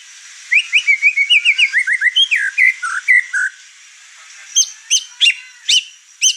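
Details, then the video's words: Over-excited white-rumped shama unloading its song, riling up the birds in the house: a fast, even series of short chirps and slurred whistles, then sharp, spaced, high notes. "Murai Batu Over Emosi Bongkar materi"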